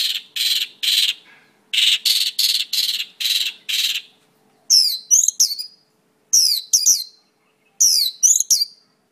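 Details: Mongolian lark song: a string of evenly spaced, broad rasping notes, then about three repeated phrases of sharply descending, sweeping whistles.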